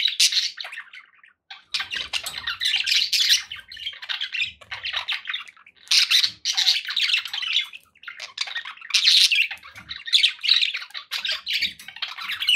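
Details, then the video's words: Happy pet budgerigars warbling and chattering continuously, loud scratchy squawks mixed with fast twittering in waves, only one brief lull. "9 hours of budgie sounds to keep your pets in happy bird company"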